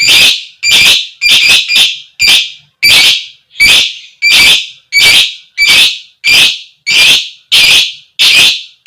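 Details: Female fighter lovebird giving the koek koek call, used as a lure to set other lovebirds singing: a fast run of about thirteen shrill, harsh shrieks, roughly two per second, the opening notes doubled.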